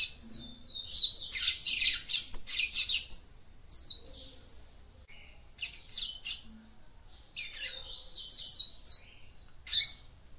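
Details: Female papa-capim seedeater singing to stimulate a male: dense bursts of high, buzzy, chattering notes packed in quick clusters, with short thin whistles between phrases and brief pauses, over a quiet background.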